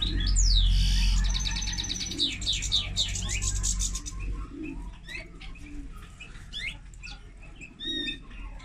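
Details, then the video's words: Common linnet x canary hybrid opening with a loud rapid trill and sweeping whistled notes, then thinning to sparse separate chirps over low rumbling noise. "Mixto de pardillo y canaria - هجين طائر التفاحي مع الكنار"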